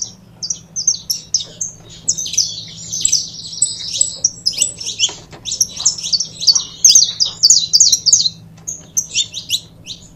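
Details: Saffron finch pair singing, a recording meant to encourage other birds to sing: long, busy strings of high chirps and slurred notes, nearly continuous, with brief breaks and a low hum behind.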